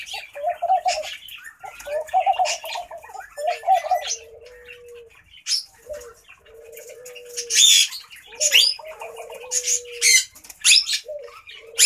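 Soft, low bubbling coos of a laughing dove in short rolling phrases, mixed with wing flutters and sharp chirps from other small birds.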